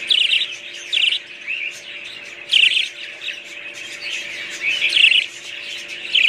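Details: Budgies, called wild parrots, give loud bursts of scratchy, high chirping warbles at irregular intervals, with softer twittering between bursts and a low steady hum in the background.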